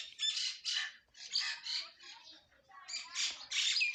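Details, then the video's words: Harsh squawking phrases from a myna among Indian morning birds, loud grating bursts about every half second, with short pauses, then a cluster of louder squawks near the end. "birds chirping sound singing myna indian birds morning birds sounds"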